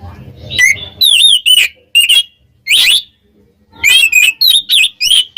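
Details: Singing Oriental magpie-robin meant to provoke rivals: clusters of bright slurred whistles and buzzy notes, separated by short silences, ending in a quick sequence of looping phrases.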